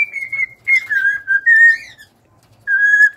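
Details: Cockatiel singing: clear whistled notes held around one pitch, a buzzy rising flourish, then a pause and a final steady whistle.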